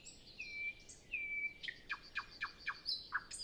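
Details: Nightingale singing early morning before sunrise on a windless morning, other birds still silent, recorded with a Zoom F6 and Sennheiser MKH 8040: two long pure whistled notes, then a run of sharp, evenly spaced chipping notes.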